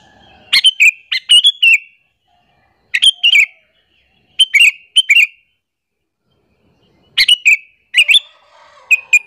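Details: Chatty sooty-headed bulbul lure call for provoking other bulbuls: repeated phrases of two to four sharp chirps, delivered every one to two seconds, with one longer silence midway.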